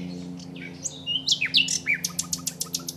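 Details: Common nightingale filmed at Aiguamolls park singing a varied phrase of sliding whistles and buzzy notes, ending in a fast series of sharp repeated notes, about eight a second, over a steady low hum.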